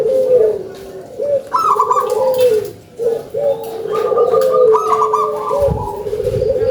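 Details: Local zebra doves in loud song, several overlapping high rolling coos and long low trills, phrases starting every second or two, with a soft thump near the end.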